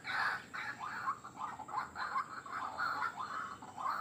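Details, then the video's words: White-breasted waterhen call used as a lure for wild birds: harsh, nasal croaking notes repeated rapidly in an even rhythm, about two to three per second, with a faint steady hiss behind. "Suara Pikat Ruak Ruak Ampuh"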